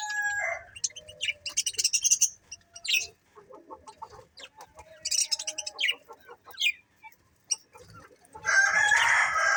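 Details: Chirping from a happy budgerigar colony: quick series of high chirps and clicks in irregular bursts with pauses, ending in a loud, dense, harsh burst of chatter.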